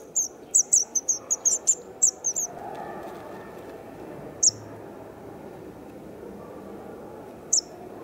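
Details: White wagtail nestlings two days before fledging, filmed 3 June 2019 in Kumiyama, Kyoto Prefecture, with parents feeding and watching over them; a quick run of thin, very high chips over about two seconds, then two isolated chips amid a steady low background hum.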